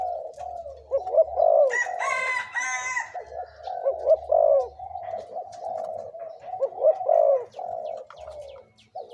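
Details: A 2–3-year-old decoy spotted dove repeats mellow coo phrases every few seconds. A rooster crows briefly near the start.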